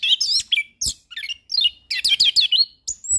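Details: Varied, rapid song of a settled orange-headed thrush used as a tutor, with chattering high slurs, warbled twists and short bursts, ending on a thin, high, steady whistle.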